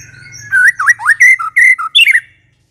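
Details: Short White-rumped shama phrase for luring other shamas: a quick series of clear, looping whistles, some swooping down then up, closing on a higher descending note. A soft low hum is present at the start.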